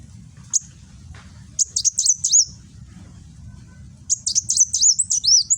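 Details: Kolibri wulung, a sunbird caged in Gresik, East Java, delivering 'nembak' song: one lone high chip, then a quick run of four chirps, a pause, and a longer tumbling series of sharp notes and downward slurs; low background hum.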